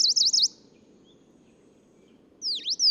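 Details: Tokara leaf warbler, a singing male, Nakanoshima, Tokara Islands, Japan, June 2017: a brief, quick string of high undulating notes, a silent gap, then loud downward-swooping whistled notes; soft constant low background noise.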